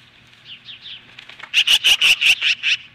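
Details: Osprey at a nest near Lolo, Montana, facing down magpies on a July 2015 morning: a few soft falling whistles, then a loud run of seven piercing, evenly spaced cheeping notes.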